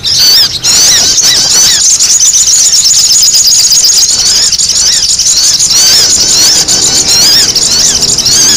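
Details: Sogon, noisy calls for luring: a continuous shrill chatter of squeaks and quick slurred whistles, densely layered and sustained at a high, even loudness.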